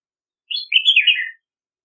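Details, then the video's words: Red-whiskered bulbul song, one continuous warbled phrase of liquid, slurred whistles that dips and rises before trailing off, with no other sounds. "Red-whiskered Bulbul Song! Red-whiskered Bulbul Call! Voz!- Bulbul Orfeo Canto"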